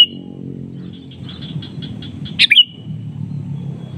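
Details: Sooty-headed bulbul exchanging calls with a rival: a faint note, a run of soft, evenly spaced short notes, then one loud, sharp burst of bright chirps, over a steady low hum.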